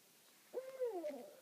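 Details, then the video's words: Single quavering hoot from an owl in a meadow on Rattenbury Rd at night, two owls answering each other from a branch and a spruce top; the low note wobbles and trails off, with faint hiss behind. "Owl Calling on Rattenbury Rd"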